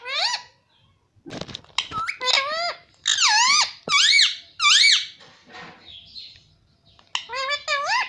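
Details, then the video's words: Pet parrot saying Hindi phrases such as papa: loud, bright harmonic syllables with wavy rising-then-falling shapes, delivered in about five long voiced bursts separated by short pauses, plus sharp clicks and a closing flurry of squeaks. "parrot talking mithu papa || पापा बोलूंगा"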